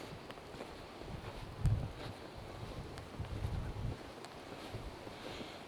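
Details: Outdoor walk during a season's first snowstorm in Livingston, Montana: gusty wind buffeting the microphone with low thumps and soft rustling, no animal voices.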